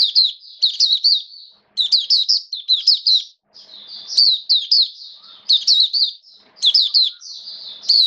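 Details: Hobby Oriental white-eye in a cage singing during wet rainy weather, 29 September 2022. Sweet, high twittering phrases of rapid slurred notes, repeated in bursts separated by short silences.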